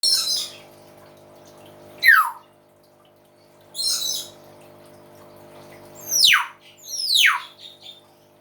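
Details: Common hill myna, a talking bird called beo, singing loudly: harsh broadband bursts alternating with sharp descending whistles sweeping down, spaced a few seconds apart, over a low steady hum.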